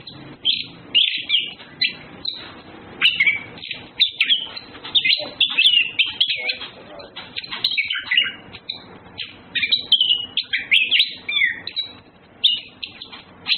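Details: Male and female orange-headed thrushes flirting deliver an extended, energetic warble of sharp chirps, clear whistles and chattering runs, louder bursts alternating with brief quieter moments.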